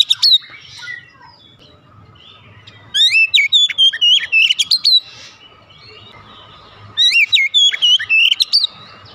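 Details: Caged Oriental magpie-robin kept at home, its song used to coax a quiet bird: two spaced bursts of rapid whistled, wavering notes about four seconds apart, faint low hum between.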